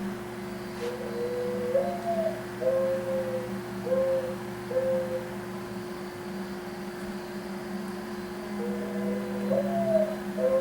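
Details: A Mourning Dove's soft, low, hollow cooing, played back as an example call: a rising first note, then several drawn-out level coos, repeated twice over a steady electrical hum.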